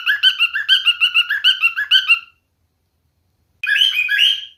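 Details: Male cockatiel singing: a burst of quick repeated whistled chirps for about two seconds, a short silence, then the warbling song resumes.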